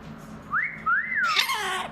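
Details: Pet mitred conure indoors whistling two sliding notes, the first rising and the second arching up and down, then breaking into a rough, raspy squawk.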